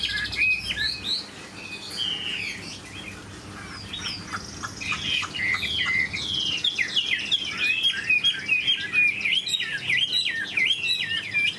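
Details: Large caged Chinese hwamei with a fine voice. Varied whistled phrases build into a fast, dense, jumbled warble of sweeping notes over twelve seconds, with low room noise beneath.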